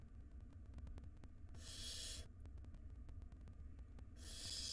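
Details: Nest box of wild barn owl chicks at feeding time, the mother delivering prey as a nestling gulps down a large rodent. Two long, rasping snore-like hisses about two and a half seconds apart, over low-pitched hum and ticking.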